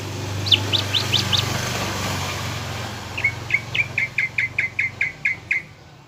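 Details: Lure song of a Greater green leafbird for rousing a caged bird to fight: a few rising high chirps, a pause, then a run of about a dozen sharp whistled notes, with a low engine-like rumble behind.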